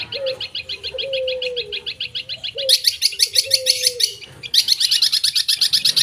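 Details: Long-tailed shrike song with mimicry: rapid repeated high chirps in long runs over a background of low, drawn-out cooing notes, then denser loud chatter.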